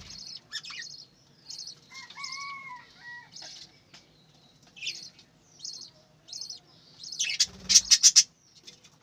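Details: Budgerigars from a breeding farm chirping in sharp high notes, with a lower drawn-out nasal tone early on and a loud flurry of rapid chirps and flutter near the end.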